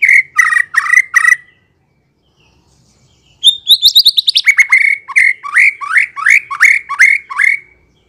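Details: White-rumped shama singing on a lure track to draw a response: three harsh, rich notes, a pause, then a fast rattling trill and a long run of repeated downslurred whistles roughly two per second.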